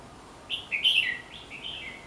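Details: Red-whiskered bulbul watched around the house, singing a lively phrase of short slurred whistles, loudest in the first second, followed by a quieter run of three or four warbled notes.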